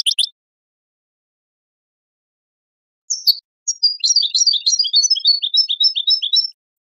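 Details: Goldfinch singing for a teaching tape for young songbirds. A short chirp, a long pause, then a sharp note and a rapid liquid twitter of jumbled high notes lasting about three seconds.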